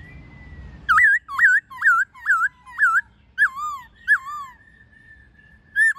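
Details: Laughingthrush wild-style song with many voices, alongside a female, played to train captive birds: a run of loud, clear whistled notes, each rising then dipping, repeated about twice a second, ending in a long level whistle.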